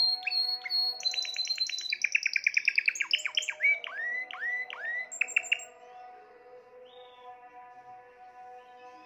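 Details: Timbrado canary, a caged bird recorded in 2020, singing a fast trill of repeated clicking notes that slows into rising whistled sweeps, with a steady faint hum in the room behind it.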